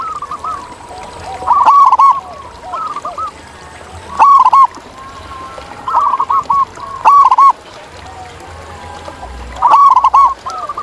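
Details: Local zebra doves calling in the wild, several birds overlapping: each phrase opens with a sharp clicking note, then a run of bubbling, wavering coos, and phrases come roughly every two to three seconds over a softer background chorus.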